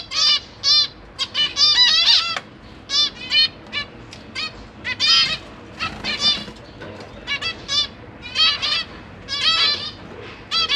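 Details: Zebra finch parents and young in a large cage with several newly hatched and juvenile babies: nasal, buzzy honking calls in quick bursts with stacked harmonics, some clustered and overlapping, others spaced apart, with brief soft gaps between.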